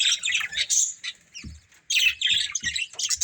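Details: Breeding pair of budgies chattering: rapid scratchy warbles and squeaks, a brief lull, then renewed busy twittering with quick chirps, plus faint low knocks or taps in the background.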